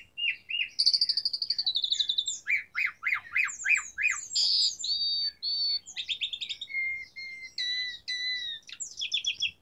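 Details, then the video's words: Asian pied starling (jalak suren) in lively varied song: a long buzzy trill, a run of sharp rapid chirps, harsh squawking bursts and clear level whistled notes. Faint background hum. "Pancingan Jalak Suren Gacor Variasi Isian Tembakan"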